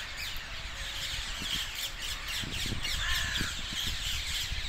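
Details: Roosting flock of dozens of colourful parakeets in trees south of Hackney Marshes, 18 February 2021; scattered screechy squawks and thin squeals over a steady background of chattering birds and low wind-like rumble.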